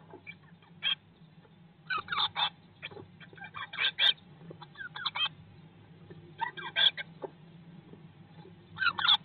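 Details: Eurasian blue tits inside a nest box on day 19 after hatching, May 2022: scattered clusters of short, harsh chirps in quick bursts separated by pauses, over a steady low hum and soft rustling.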